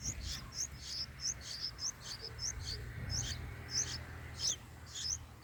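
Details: Baby bulbuls in the nest on day four of feeding; sharp high chirps, rising then falling, repeated roughly every half second over soft background hiss.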